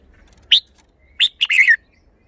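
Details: Red-whiskered bulbul showing off its song phrasing: a sharp whistled note, then a pause and a quick run of three bright, slurred notes ending in a falling whistle. The background is otherwise quiet.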